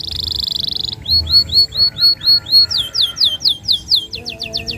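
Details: Energetic canary singing long 'nembak panjang' phrases as a lure for young canaries: a buzzy trill, then evenly spaced curved whistles about three a second, then faster, louder sweeping notes.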